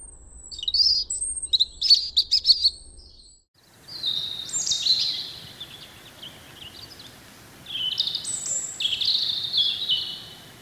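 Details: Spring song of a wild European robin: sparkling high twitters and trills over a low rumble, then a pause and more drawn-out, sweet, sliding whistled phrases against soft background hiss.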